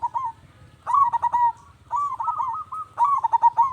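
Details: Zebra dove song, meant to make other doves answer: rhythmic bursts of soft, purring coos around a steady mid pitch, quick stuttering notes followed by a longer wavering trill, repeated in three phrases.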